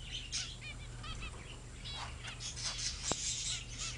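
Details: Young zebra finches, now grown, chatter in short, nasal, honking beeps and squeaky chirps, several birds calling over one another, with a steady low hum underneath; recorded around February 2009.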